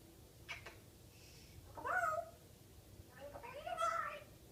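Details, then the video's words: Pet female African grey parrot talking and mixing made-up words such as 'good-hello'; two drawn-out, wavering voice-like calls about two seconds apart, with faint clicks before them, in a quiet room. "Hilarious African Grey parrot singing "the wheels on the bus go round and round..."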